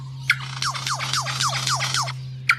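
Lyrebird giving about seven quick, descending whistled sweeps in a row, framed by two sharp clicks, over a low steady hum.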